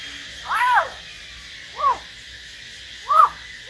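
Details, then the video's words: Hill myna, heard in a solo exchange with a white-rumped shama, gives three loud arched notes spaced over about three seconds, the first longest and richest, the others short and ringing. "Chim nhồng và choè lửa hót solo"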